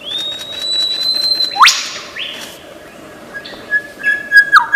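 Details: Australian forest lyrebird, a great imitator, holding a long pure whistle that slowly rises, then a sharp upward sweep, a shorter steady tone, and a few quick chips at the close.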